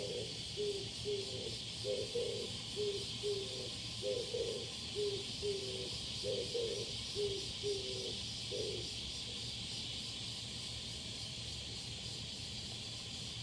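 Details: Male Oriental turtle dove calling, 21 July 2022: deep cooing notes in repeated short groups for about nine seconds, then stopping, while a constant high insect drone and low hum continue beneath.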